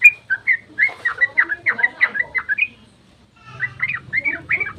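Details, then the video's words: Long 'ropel' dawn song of a sooty-headed bulbul, played to provoke other bulbuls into replying: a rapid run of bubbly, gurgling whistled notes, a brief silence, then a fresh burst of rounded, rolling phrases. "trucukan GACOR ROPEL SUBUH PANJANG buat pancingan trucuk agar cepat bunyi"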